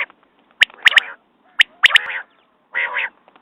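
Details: Quail producing a sharp single note, then a rapid double note with a rasping tail, repeated once, ending with a longer buzzy burst.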